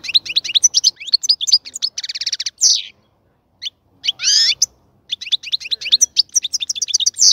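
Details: European goldfinch in a cage being prepared for breeding, singing a long fast twittering song with buzzy trilled stretches, a loud rasping burst near the middle and a brief silence before the tinkling phrases resume.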